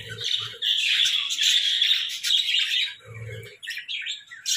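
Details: Budgies in a hut chatter in a loud high warble for about three seconds, then break into scattered sharper chirps, with short low hums now and then.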